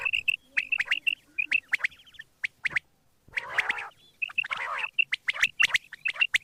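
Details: Morning calls of quail, with rapid sharp chirp notes, a short silence, then two loud rasping nasal bursts before the chirping resumes.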